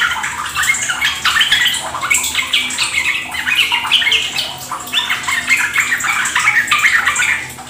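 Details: Continuous 'ropel gacor' bulbul singing: dense overlapping chirps and bubbly trills pouring out in waves, louder bursts every second or two, fading slightly at the end.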